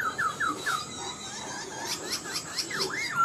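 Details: Caged Black-throated laughingthrush, an older bird from the wild with a good singing voice: four quick falling whistles in a row, then rising sweeps and a final looping whistled phrase.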